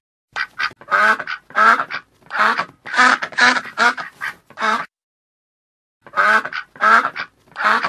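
A duck gives a run of loud, nasal quacks, each short and harsh, in a steady series.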